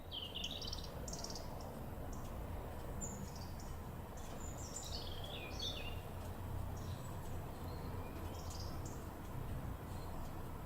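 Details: Black redstart giving short, high, scratchy calls scattered across the clip, a few in quick bursts, over a steady low rumble; this species gives brief cries when threatened or excited, crouching and flicking its tail.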